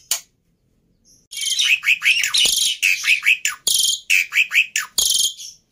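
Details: Agitated black-winged myna used as a training model for other starlings: after a brief pause, loud harsh chattering with short whistled downslurs repeated roughly twice a second.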